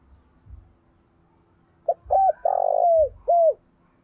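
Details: Decoy spotted dove calling to draw in wild doves: a single four-part cooing phrase, the long third note burry and sliding down, preceded and accompanied by soft low thumps in a faint background hum.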